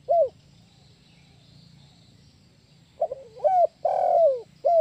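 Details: Spotted dove (tekukur) lure call of the 'kuk 1' style used to attract birds for trapping: a single mellow coo, about three seconds of quiet, then a phrase of short hoarse coos with one longer drawn-out middle note and a closing coo.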